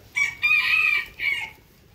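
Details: Rooster crowing in the morning: a loud, harmonic cock-a-doodle-doo in three parts, a short opening note, a long sustained middle and a falling final note, with little background noise.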